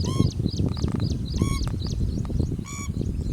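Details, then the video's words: Pheasant-tailed jacana foraging for food in a lake; loud nasal, mewing calls with harmonics given in short bursts, mixed with higher twittering notes from other birds over a strong low rumbling background. "Pheasant tailed Jacana-Call"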